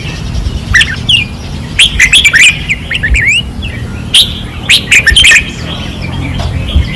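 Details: Fierce 2024 training-perch singing from caged red-whiskered bulbuls: lively chattering phrases of bright, slurred whistles, one rich burst in the middle and another toward the end, against low background hum.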